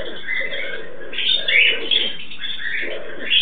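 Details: A pair of pet turquoise-fronted amazons (Amazona aestiva) mating give harsh, raspy squawks and grating chatter almost without pause, rising into louder screechy bursts now and then over a low background rumble.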